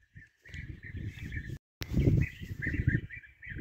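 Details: European bee-eaters heard during hunting: rolling, purring calls repeat over and over, partly buried under heavy low rumble of wind and handling, with a brief dropout and a sharp click midway.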